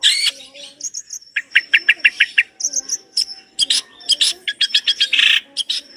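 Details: Long-tailed shrike in full, continuous song packed with rich varied material: sharp high chirps, a quick run of evenly spaced bright notes, thin high whistles and harsh bursts tumbling together with almost no pause.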